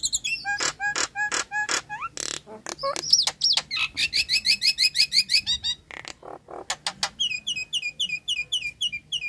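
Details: Nias hill myna song used as a lure to get a bird that has stopped singing, is stressed or is moulting to sing: rapid sharp whistled notes, harsh rasping bursts, then fast rhythmic trills of repeated bright rising notes, all high-pitched.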